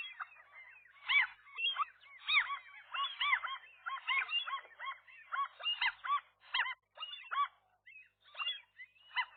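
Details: Morning scuffle at a rooftop gull nest in April 2023, the resident couple driving off a single gull; dense chorus of harsh, arched yelping calls, overlapping and nearly continuous.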